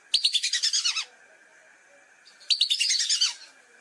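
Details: Lesser whistling duck calls used as a hunting lure: two bursts of rapid, shrill whistled notes, about ten per second, each bout lasting near a second, separated by a pause, over a steady faint hum.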